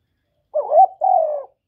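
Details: Spotted dove coo used to lure wild doves: one two-part coo, a warbling rising first syllable followed by a longer, steadily falling second note, against silence.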